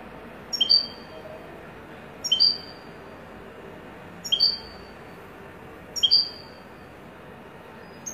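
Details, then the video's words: Widani-style European goldfinch recording with single sharp, high, slightly falling call notes repeated about every two seconds, four times, over faint steady background hiss. "تغريد حسون ويداني"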